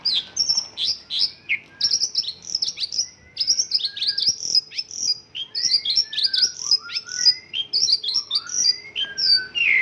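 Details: Mongolian lark song with isian lokalan fill-ins: rapid, busy medley of bright chirps, short rising whistles and lower sliding notes, continuous and varied throughout, with a faint steady hum beneath.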